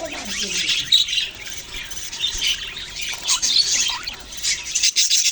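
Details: Australian parrots, budgerigars, give continuous twittering and squawky chirps from several birds. A few lower warbled notes are heard near the start.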